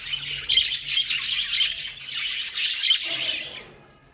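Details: Lovebirds kept as pets give shrill, squawky, high chirps in a dense run with a few clear squeaks standing out; the chatter stops abruptly and fades out near the end.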